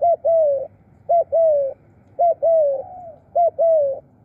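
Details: Khrun calling from a spotted dove decoy used to bring in birds: four phrases, each a brief coo followed by a drawn-out falling coo, about one per second, close and clear.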